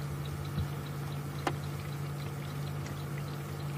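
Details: A steady low hum with pouring, trickling water and a single sharp click, with no animal voice.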